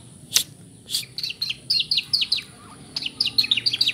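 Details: White-rumped shama singing a rapid run of sharp, high, down-slurred notes, several per second, mimicking the kapas tembak bird's call, with a few loud clicks between phrases.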